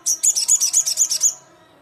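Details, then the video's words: Fast, shrill rattle of about ten high, bright notes from a Sogon calling out to rivals, delivered in one quick burst lasting just over a second before falling silent. "SUARA BURUNG SOGON GACOR KERAS, GACOR JUARA"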